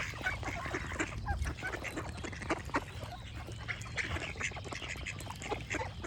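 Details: Repeated harsh quacks from several ducks rise and fall irregularly against a low rumbling background, with occasional brief bird chirps.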